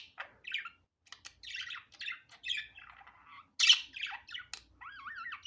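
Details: Budgerigar heard natural and unedited, mixing scratchy chatter, buzzy notes and one loud squeak, then closing with a wavering, warbled whistle that rises and falls.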